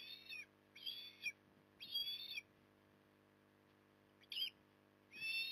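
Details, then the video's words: Osprey at Port Lincoln, Australia, on 9 October 2020 during an evening feed, giving high, thin whistled calls in bursts of about half a second, with a louder burst at the end and quiet gaps between. "Osprey ~ Evening Stuffing"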